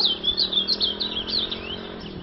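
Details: Ultramarine grosbeak singing softer, fluid warbled phrases over a steady low electrical hum.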